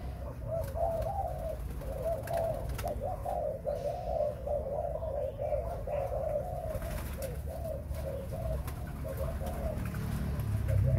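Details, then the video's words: Spotted dove kept for breeding gives a long run of low, rolling coos in quick repeated phrases, with constant low-pitched hum and rumble underneath, recorded in what sounds like a small enclosed space. "Cu gáy sinh sản"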